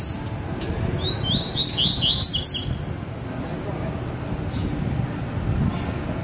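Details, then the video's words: Double-collared Seedeater, one of two caged birds in a baderna-style song, gives a brief rapid series of high rising chirps early on, followed by quieter spaced faint notes and low background rumble. "coleiro Sagat, baderna com 2 coleiros"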